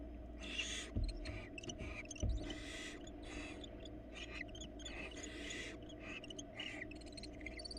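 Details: Florida nest-cam barn owls, a female delivering a rat to a nestling before a love-hate encounter with the male: dense, rapid run of raspy hissing bursts and shrill noisy notes, with a couple of thumps near the start.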